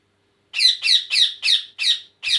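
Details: Indian ringneck parakeet, kept indoors as a pet, uttering six harsh, grating squawks in a steady series, each short and raspy, with slight gaps between them.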